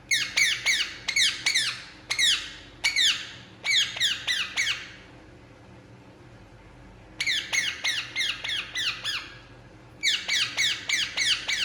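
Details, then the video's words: Relaxing Indian ringneck parakeet produces bursts of rapid, raspy falling squawks in clusters, with a silent spell of nearly three seconds midway before calling resumes. "Indian Ringneck Parakeet Relaxing And Making Sound"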